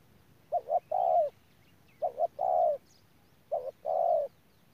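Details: Decoy spotted dove recorded at Đức Cơ in November 2018. It repeats three low, mellow coo phrases, roughly one every one and a half seconds. Each is a quick double note followed by a longer, steady, slightly falling coo.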